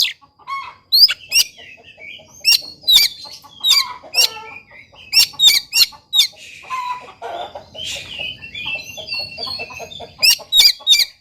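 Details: Oriental magpie-robin in full song, used as a lure and tutor to get a quiet bird singing: a fast, varied run of sharp, clipped notes and short whistled phrases, with bursts separated by brief pauses and loud high accents throughout.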